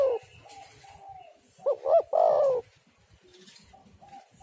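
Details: Spotted dove calling vigorously, used to lure doves and set them singing; one loud phrase of two quick coos followed by a long, slightly falling coo, with softer distant cooing before and after.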